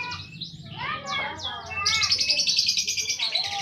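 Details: Domestic lovebird calling at home: a few short sliding chirps, then a harsh buzzy chatter of rapid squeaky notes, over a low background hum.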